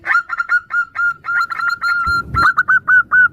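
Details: Female zebra dove of local stock calling to a male with others chiming in; a rapid mix of short and drawn-out whistled notes at one steady pitch, with a low rumble partway through.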